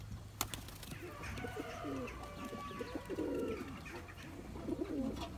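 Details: Loft-kept Turkish tumbler pigeon courting, chasing his mate for eggs and young; rolling guttural coos with a stronger swelling phrase midway, a sharp knock near the start, and a steady low hum throughout.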